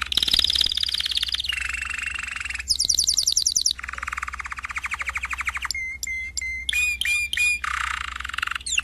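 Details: Domestic canary singing a chain of trilled tours: a high buzzy trill dropping to a lower rolling one, a fast rising trill, a long low churring roll, then clipped repeated whistle notes.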